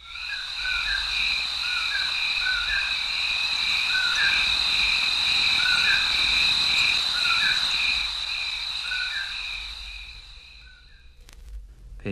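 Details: Common poorwill (Nuttall's poor-will) gives low, soft two-part 'poor-will' whistles about once a second over a steady high trilling chorus of crickets.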